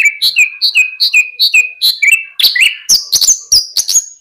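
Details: Lark repeating a two-note whistled phrase about every quarter second, then switching to higher, sharper chirps.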